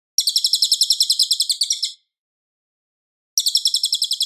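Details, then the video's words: Loud, clear cililin singing kept as a master recording for Murai Batu: fast, very high, twittering trills repeated in quick pulses, a two-second burst, a pause, then another burst. "suara Cililin Gacor jernih keras berjeda 10 detik"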